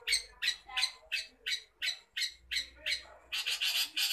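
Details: Long-tailed shrike in full voice gives rasping, grating squawks at an even pace of about three per second, then speeds into a rapid cluster of overlapping harsh notes at the end, with a faint low rumble behind.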